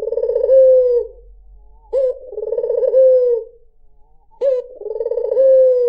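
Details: Melodious song of a white dove, meant to draw in other birds: deep rolling coos, each a brief upslurred lead note and a long vibrating phrase ending in a falling glide, three in quick succession.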